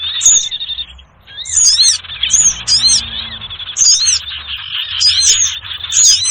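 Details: Sirtu bird lure call used for trapping small birds, a noisy lure track: bright chirped notes repeated in short bursts roughly every second, with thin high squeaks above a dense band of twittering and faint low rumble beneath.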